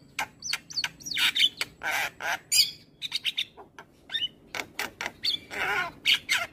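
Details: A highly vocal Javan myna in the morning, used as a training recording for other birds, alternating looping whistles, sharp chirps and rough rasping bursts in a busy, varied stream.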